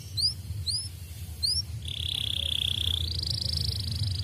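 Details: Canary song used as a lure to prompt other birds to sing: several quick rising whistled upslurs, then a long, high, steady buzzy trill that steps up in pitch near the end, over a low rumbling background.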